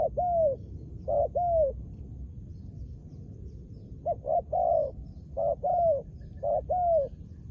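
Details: Spotted dove trained as a decoy, singing bold, mellow coos in phrases of two or three, each with a soft lead note and a longer downslurred final, separated by short silences.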